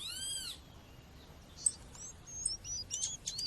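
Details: Female double-collared seedeater call over nature sounds, meant to warm up males. It opens with a strong harmonic arched note, then a pause, then soft, high, thin chips and short whistled slurs that quicken toward the end.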